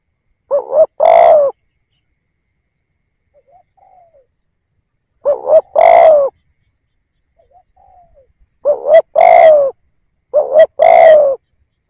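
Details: Spotted dove decoy calling to attract wild doves: loud coo-crooo phrases, a short wavering note then a long falling coo. These are spaced a few seconds apart, with faint soft notes in between, and come closer together near the end.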